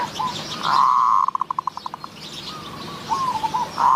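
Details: Zebra doves lured to a decoy in Wapi, Maha Sarakham, Thailand: a loud drawn-out note breaks into about ten rapid staccato pulses, followed by softer wavering coos and another loud rising phrase close by.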